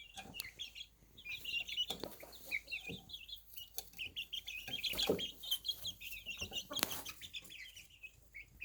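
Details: Young chicks on a small farm before night rest, giving a continuous overlapping stream of high, short peeps that swells in the middle, with occasional soft clucks and rustling.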